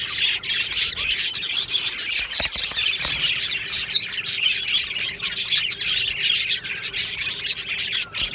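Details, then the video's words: Aviary flock of budgerigars, 22 June 2025, keeps up a busy mix of thin chirps, squeaky notes and warbled phrases, many voices overlapping constantly, a few sharp clicks among them. "Budgie singing sounds | Budgie chirping sounds"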